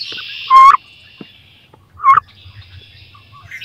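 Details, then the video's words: Two wood duck hens competing for a nest box to lay eggs in; a pair of rising squealed notes about one and a half seconds apart, with faint rustling and a low hum. "CANARD BRANCHU (Carolin) 2 FEMELLES VEULENT PONDRE DANS CE NICHOIR / MOMENTS FORTS / CRIS"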